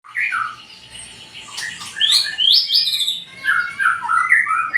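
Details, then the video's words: White-rumped shama, a 20 cm-tailed bird, singing a full, varied song of whistled phrases that slide between low and high notes, with short buzzy and chirping notes mixed in. "burung murai ekor 20cm suara mantap ngeplong"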